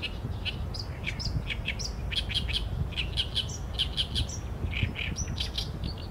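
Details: Oriental reed warbler singing, filmed with a Sony A7M3 and 200-600mm lens: a choppy run of harsh, chattering notes repeated in quick bursts, some higher squeaky elements between them, over a steady low background rumble.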